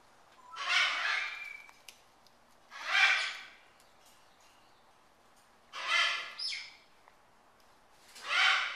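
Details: Pet military macaw eating a peanut butter cracker; four harsh, rasping squawks spaced two to three seconds apart, each rough and wide-ranging, with quiet gaps and small clicks between.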